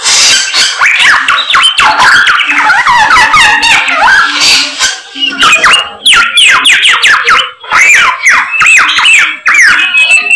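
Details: Samyong bird in full, insistent song: rapid rising and falling whistled slurs mixed with scratchy chatter, ending in a series of clear arched whistles.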